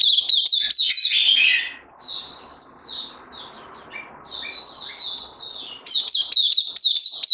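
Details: Oriental white-eye (puteh) on day two of Lava Direct and Life Force supplements, 31 May 2020: fast high twittering that breaks into longer smeared warbled phrases with short pauses, then resumes quick chirping.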